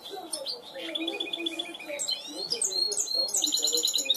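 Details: Short burst of cante limpio from a trained goldfinch hybrid: quick twittering notes, a run of evenly spaced chips, then rising sweeping whistles and bright trills growing louder toward the end.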